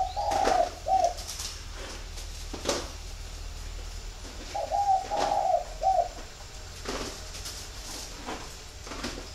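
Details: Cooing of spotted doves kept as a flock in a bird garden at Ba Vì, Hanoi, Vietnam: a low, gentle phrase opens, another follows about four seconds later, with occasional taps and knocks between.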